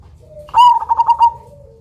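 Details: Zebra dove of the Cemani type, prized for its big voice and unique rhythm as a lure: a faint low lead-in, then five quick, rounded, pulsing coo notes ending in a fading tail.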